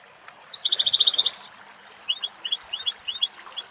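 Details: European goldfinch song from one of two adult males drinking and bathing at a bird pool deep in a Greek forest in summer heat: a quick, bright trill of about a dozen even notes, then liquid, tinkling twitters jumping between high pitches.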